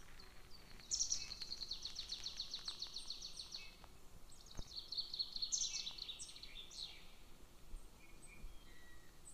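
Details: A young golden eagle chick at a nest near a military training ground, on 22 June 2024, gives two bursts of thin, high, rapid chittering calls, each about two seconds, over a low steady rumble of wind.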